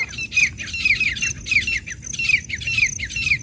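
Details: Female and male black francolins calling: harsh, grating notes in quick succession, about two a second, with sharper downslurred squeals mixed in and a low rumble of background noise.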